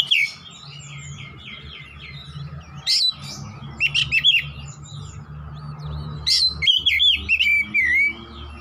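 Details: Oriental magpie-robin singing 'gacor nembak-nembak' over a persistent low drone: soft distant twitters first, then sharp loud bursts of varied whistles and a rising-falling warble near the end.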